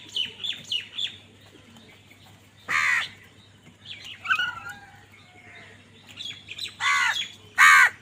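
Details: Harsh, grating crow caws sound while the birds fight over food: one loud caw near the middle, then two more close together at the end, with scattered high chirping of other birds throughout.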